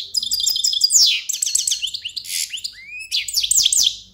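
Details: A European goldfinch sings a continuous rapid medley of liquid twitters, short rising and falling whistles and a buzzy descending trill, all high-pitched and cheerful with no other sounds.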